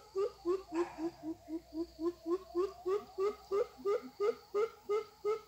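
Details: Young captive greater coucal used as a decoy to lure wild birds during weekend trapping practice: a steady run of deep, hollow hooting notes, about three per second, each slightly rising, continuing evenly throughout.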